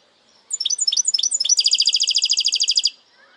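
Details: Part of a goldfinch hybrid's segmented song, with four clipped, sharply falling high notes followed by a rapid, rolling trill of bright repeated notes for over a second before it stops abruptly.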